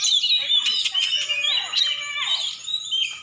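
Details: Oriental magpie-robin from Aceh, a contest champion, pouring out rapid whistled notes and descending glides, phrases tumbling quickly one after another.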